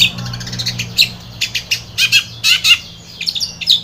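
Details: Long-tailed shrike song used to prompt another shrike to sing: a rapid stream of harsh scratchy notes and brief chattering bursts, loud and irregular, with faint low hum.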